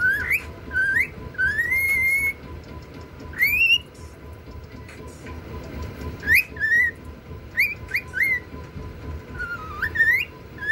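A cockatiel sings clear, rising whistles in short phrases with sweeping upslurs and brief pauses.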